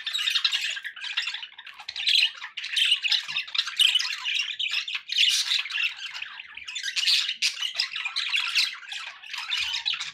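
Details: Budgies kept as pet birds give a continuous scratchy warbling chatter, harsh squawks mixed with quick chirps, loud throughout with no clear gaps.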